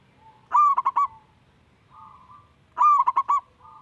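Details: Local zebra dove singing, a young bird whose song serves to coax reluctant doves: two short phrases of three or four rapid clipped coos, each ending in a soft level hum, separated by a quiet gap.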